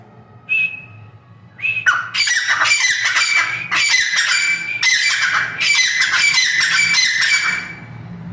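Black francolin giving harsh, grating, high-pitched bursts in quick rough series, several phrases over a few seconds, with a faint low hum behind.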